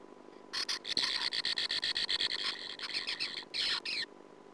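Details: Sand martin at the nest, recorded on a 2009 nest camera: a dense, steady run of buzzy rasps mixed with chirping twitters for about three and a half seconds, then silence.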